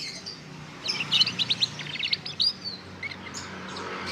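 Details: Three-month-old young canary, a cross of imported Scotch Fancy and Lizard lineages, practising the 'ngeriwik' trill: a burst of quick, high, varied chirps and short twittered notes for about two seconds, over a low steady background hum.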